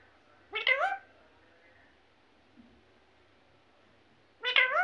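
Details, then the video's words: A parrot talking, imitating human words: two short, wavering, slurred syllable bursts, one near the start and one at the end, with a tiny soft sound in between over quiet background. "mithu mithu mummy mummy"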